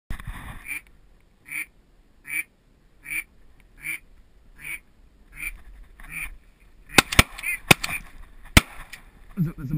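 A mallard gives a steady series of short, nasal quacks, about one every second, ending with sharp clicks and knocks.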